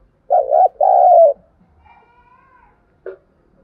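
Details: Decoy spotted dove calling to stimulate wild doves: two low, throaty cooing phrases in quick succession, then a quiet pause and one short coo near the end. Clean recording with no other sounds.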